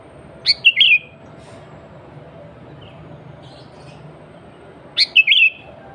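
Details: Sooty-headed bulbul song used to call other bulbuls: a crisp upward note leading into a bubbling two-part whistled slur, repeated twice roughly four and a half seconds apart against a faint background hum.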